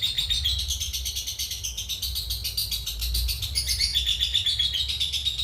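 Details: Sustained ngekek chatter by a cobalt mangsi lovebird, a model for training other birds: dense, fast, buzzy rattle of high clicks wavering slightly in pitch, with some low rumbling background noise.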